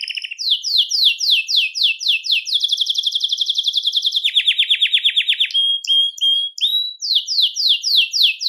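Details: Belgian canary song to stimulate males and bring hens into breeding condition, varied: downward-sweeping notes, long buzzy trills at two pitches, brief whistled tones, then more rapid descending slurs.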